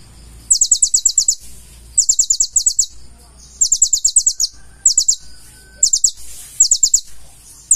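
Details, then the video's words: Konin, the purple-throated sunbird, singing full isian: repeated volleys of piercing high notes, each burst of four to seven quick strokes, spaced about a second apart. "KONIN GACOR FULL ISIAN"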